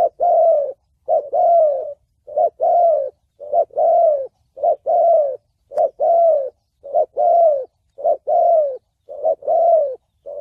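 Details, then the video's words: Spotted dove singing the 'thổ bầu' style song meant for luring and trapping wild doves and training decoy birds; a steady rhythmic run of paired coos, a short rising note then a longer falling one, repeated about once a second. "Tiếng chim cu gáy giọng thổ bầu chuẩn âm mới nhất, kích bổi,đi bẫy, tập mồi"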